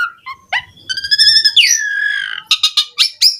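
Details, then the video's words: Energetic Javan pied starling song used to draw other starlings into singing. Soft opening notes give way to a buzzy trilled phrase, then a long, drawn, falling whistle, and finally a string of sharp, clipped high notes. "Suara Kicau Jalak Suren Gacor Mompa buat Pancingan OCEHAN semua Burung Jalak Agar Gacor Full Isian"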